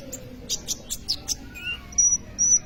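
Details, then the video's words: Sunbird known locally as kolibri ninja, singing actively, used as a lure to train other birds. Quick sharp high chirps in a short burst, then thin, level whistled notes near the end. "kolibri ninja gacor cocok untuk pancingan atau maateran burung bahan"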